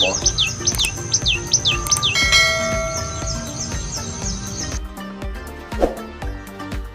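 A tailorbird gives sharp, high, down-slurred chirps in quick repetition, about two or three a second, then a sustained ringing tone and background music take over.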